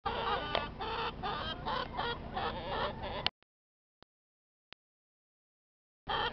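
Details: Chickens clucking in a steady stream of short, harmonic notes for about three seconds, followed by near silence with a few faint clicks before the clucking resumes at the end.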